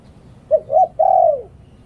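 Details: Spotted dove decoy in Thailand giving a single Liw Tan phrase for luring wild doves: two quick rising hoots followed by one long coo that slides downward.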